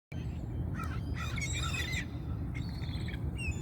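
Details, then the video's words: Hungry seagulls giving a run of harsh, stacked squawking calls, several short bursts overlapping in the middle, over a constant deep rumble of wind or surf. "The sounds of the seagulls hungry"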